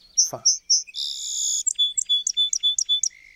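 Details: Song sparrow (Melospiza melodia), song.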